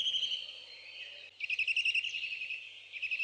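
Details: Nest webcam in Hungary, 11 May 2012, with Saker falcon chicks: a drawn-out whining call, a brief pause, then a burst of rapidly pulsed, harsh, harmonic calling that trails off and resumes.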